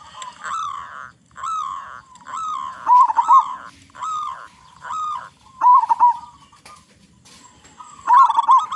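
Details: Local zebra dove with a loud, big voice, singing to lure other zebra doves into song. Short cooing phrases with a rolling, throaty quality, delivered in a steady series of roughly one phrase every second, with quiet gaps between bursts.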